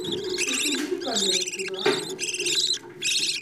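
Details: Feeding of budgerigar chicks by the parents, heard as grating, rasping bursts that run almost continuously with short breaks, with softer low sounds beneath.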